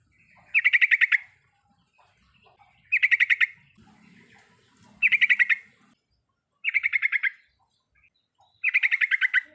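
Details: Trucukan (yellow-vented bulbul) riwikan chatter used to provoke a silent bird to sing: five bursts of rapid, bright pulsed notes, evenly repeated roughly every two seconds, with faint low background noise.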